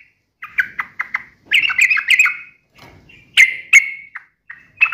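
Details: Sooty-headed bulbul in energetic chirping form, described as sharp and rapid-firing; loud bursts of bright, slurred notes around a middle-high pitch, some grouped in quick clusters with short pauses between them.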